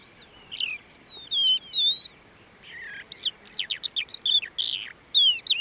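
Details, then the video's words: Crested lark recorded at Bismil/Boçelû in 2016, singing bright whistled phrases of sliding notes, rising and falling slurs mixed with quick chirps and short trills, with brief pauses between bursts; open-country quiet behind. "Tîtî(Galerida cristata)"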